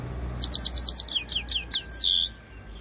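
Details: Himalayan goldfinch singing a quick series of high chirps that speed into a run, then end in several longer downslurred whistles, over a steady low hum.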